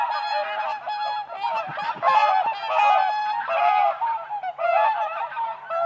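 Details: A flock of whooper swans dancing on ice at a spring lake, calling continuously in a loud, overlapping chorus of nasal trumpeting honks, some rising and falling, with a few short harsh notes.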